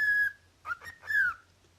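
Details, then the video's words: Cockatiel call ending a long held whistle, followed by two quick rough chirps and a final whistle that dips downward in pitch before fading into a quiet room. "鳥の呼吸 壱の型 天使の咆哮 九連！！"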